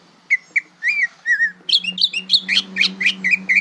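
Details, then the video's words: Learning greater green leafbird voices a varied string of slurred whistles and warbled notes, becoming busier and overlapping in the second half, over a steady low hum. "Bongkaran suara burung cucak ijo belajar berbunyi"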